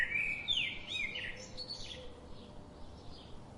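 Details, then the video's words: Birds that visit a garden every day give a lively run of sharp, high chirps and twittering notes in the first second, fading into softer, distant twitters over constant background hum. "The chirping sound of these daily visiting birds"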